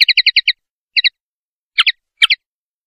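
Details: Common linnet male in open country looking for a song perch: a rapid run of five chirps, then a doubled note and two buzzier paired notes, clean and without background noise.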